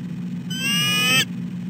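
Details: Female bald eagle fussing at her mate, both birds on the nest at 6:10 am: one shrill, rasping squeal lasting under a second, with a constant low background hum.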